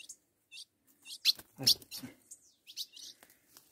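Ultramarine grosbeak giving short, high chirped and whistled notes in quick succession, with a man's voice speaking partway through.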